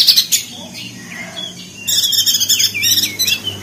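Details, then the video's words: Crested white-eye from Lombok, West Nusa Tenggara, in rapid ngeriwik chattering style, used as a training recording for birds slow to sing: a thin high note, soft downslurred whistles, then dense buzzy high chatter bursts in the final half. "Masteran perenjak daun [ opior jambul ] ngeriwik josh"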